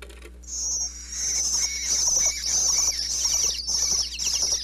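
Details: Bluebird nestlings inside a nest box in Pennsylvania chirp nonstop as a parent lands to feed them, recorded up close with a wireless microphone: a sustained, shrill, high twittering chorus, swelling and dipping, with a low background hum.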